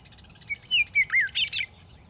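A Western Meadowlark sings a short phrase of clear, flute-like whistles that slur downward, ending in a quick, bubbling jumble of higher notes. Nothing else stands out.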